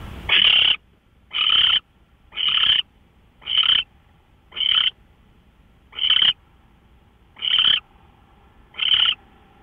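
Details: Owl at a live nest camera, March 24, 2013, 5:27 AM; harsh, raspy hissing bursts about half a second long, repeated roughly once a second, eight in a row over a quiet background.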